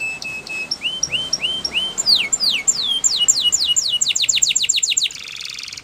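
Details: Spanish Timbrado canary performing a training song: clear rising whistles repeated at an even pace, then rapid downslurred sweeps that speed into a dense trill and close with a buzzy phrase, over a light background hiss.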